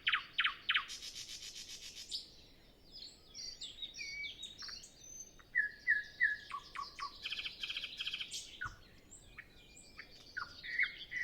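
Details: Nightingale singing in the early morning before sunrise on a windless day, other birds not yet singing, recorded with a Zoom F6 and Sennheiser MKH 8040: sharp repeated notes, a buzzy rattling phrase, then varied chirps and three clear level whistles.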